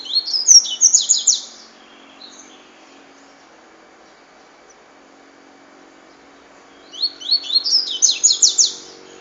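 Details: Double-collared seedeater repeating its cachoeira song: a dense burst of high, slurred chirps at the start and another about six seconds later, with quiet between them.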